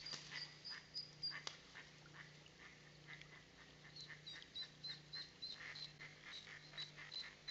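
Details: Mallard ducklings of a brood leaving a nesting tube in Plainfield, New Jersey on 5 May 2021 give thin, high peeps, about three a second in an uneven stream, over a steady low mechanical hum.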